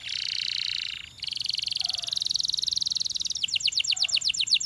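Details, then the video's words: Canary singing a sustained buzzy, rolling trill in two sections, followed by a rapid run of crisp descending notes. "Υour Canary Will Sing UNSTOPPABLY"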